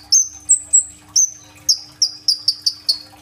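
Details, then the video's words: Sunbird (kolibri ninja) singing gacor with rolling tembak fill, meant to lure young green-phase birds, captured on a phone: high drawn-out whistles, then a quickening run of sharp notes that fall slightly in pitch. "BURUNG KOLIBRI NINJA GACOR FULL TEMBAKAN ISIAN ROLL TEMBAK ! AMPUH BUAT PANCINGAN KONIN BAHAN IJOAN"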